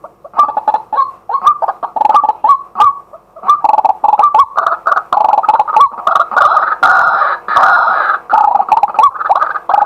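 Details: Daytime decoy calling by a male white-breasted waterhen, recorded live: a dense, continuous run of loud, grating croaks and gulping notes. They build into an almost unbroken chorus toward the end.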